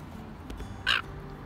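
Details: A gull at a feeding spot in Auckland, New Zealand, gives one short, harsh squawk after faint background noise and a soft tap.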